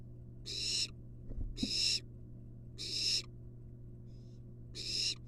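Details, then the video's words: A barn owl nestling, wild and filmed in a research nest box, gives four evenly spaced rasping hiss-screeches while receiving a long-tailed rat from its mother; a couple of dull thumps and a low hum. "Barn owl nestling receives long-tailed rat from Mom."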